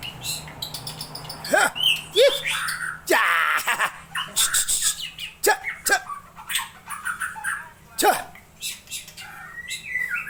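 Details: Long-tailed Aceh white-rumped shama in varied song with fill-in phrases: scattered sharp downward-stroked notes, short whistles and harsh bursts separated by brief pauses.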